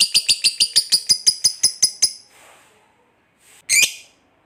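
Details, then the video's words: Lovebird of fighter type, ngekek chatter: a short run of about a dozen evenly spaced sharp, high chips slowing over two seconds, then a pause and one harsh rising squawk. "SUARA BURUNG LOVEBIRD NGEKEK PANJANG NGOTOT TAMPIL FIGHTER"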